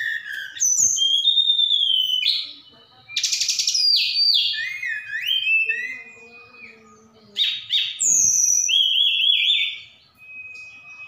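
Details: Javan bush lark sent from Sukabumi, singing with imitations of cililin and sikatan londo: varied whistled slurs, a long steady tone, buzzy rasps and trilled phrases broken by short quiet gaps.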